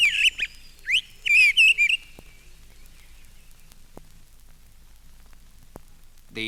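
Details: A Mistle Thrush in a town setting gives soft subsong at close range, a quieter version of its full territorial song: a brief burst of high, warbling, fluty phrases over about two seconds, then quiet; a short call closes the clip.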